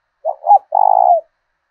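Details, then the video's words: Decoy spotted dove with the 'thổ đồng' voice of southern Vietnam, used to rouse rivals to fight. One clean phrase is heard: two quick stuttered notes, then a longer vibrating coo, with no other sounds. "Chim Cu Mồi thúc đấu giọng hay"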